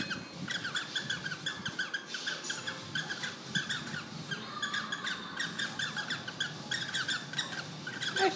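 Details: Pet cockatiel chatters with a rapid string of harsh, scratchy chirps and squawks, broken by one brief rising whistle midway, a funny noise, with music in the background.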